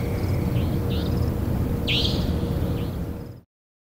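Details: Single loud, scratchy rising note of a savanna nightjar with faint softer notes around it, above a constant low rumble, before the sound cuts off.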